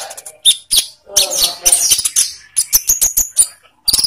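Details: Olive-backed sunbird song played as a lure to make captive birds sing; high chirps and sharp twittering notes in short bursts with brief pauses, some faint lower background sound.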